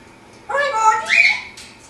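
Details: Pet African grey parrot talking during morning flips in its cage: one continuous voice-like phrase with several harmonic bands, sliding upward near the end, indoors.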